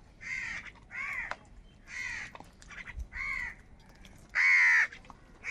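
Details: Crows fighting for food give harsh, hoarse caws, about six short bursts in a row with brief gaps, the last one loudest.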